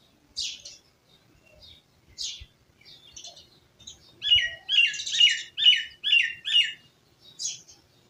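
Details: Village birds chirping in a rural setting, short bright high notes scattered, then a quick run of five or six rhythmic buzzy chirps repeated about every half second.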